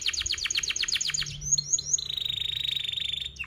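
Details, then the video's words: Canary song used as a training lure for young canaries learning to sing: a fast series of descending chirps, a few rising whistled notes, then a long steady buzzy trill near the end. "KENARI GACOR PANJANG Rol Rapat EMOSI Cuit cuit Ngerol AMPUH utk Pancingan kenari paud belajar bunyi"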